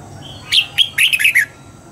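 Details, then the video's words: Morning song of a red-whiskered bulbul in voice training for double-note wild-type singing: a soft lead-in whistle, two emphatic notes, then a rapid cluster of cheerful warbled whistles ending on a lower slur. "Luyện giọng cho chào mào hót sáng, ép chào mào hót âm kép già rừng hay tuyệt!"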